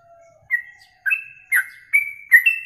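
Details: Yellow-vented bulbul, from a masteran recording for songbird contests, giving five separate short whistled notes, some bending up or down, spaced about half a second apart in quiet surroundings.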